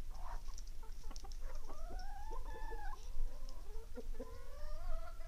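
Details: Roosters crowing in the morning: long, harmonic, drawn-out crows that rise and then level off, one after another and partly overlapping, with scattered short clucks and a low farmyard rumble throughout.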